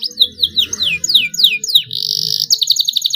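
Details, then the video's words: Young canary learning to sing, starting long rolls: five loud downslurred whistled notes spaced evenly, then a dense buzzy roll and a faster pulsing trill, with low background hum. "KENARI PAUD BELAJAR BUNYI SUARA MULAI NGEROLL PANJANG"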